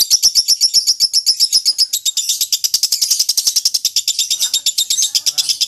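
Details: Contest-style lovebird 'ngekek' chatter for mastering training: starts with a clear, quick series of sharp high whistled notes, then merges into a dense, rasping, rapid chatter, pulses coming around eight per second to the end.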